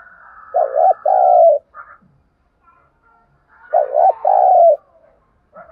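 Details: Spotted dove decoy giving its lure call to stir up wild doves: two deep double coos, a short wavering note leading into a sustained rolling coo, with a faint higher hum behind.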